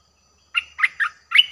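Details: Streak-eared bulbul, fierce-sounding song played as a lure for wild birds: four bubbly, slurred chirps spaced about a quarter-second apart, loud and clear against silence.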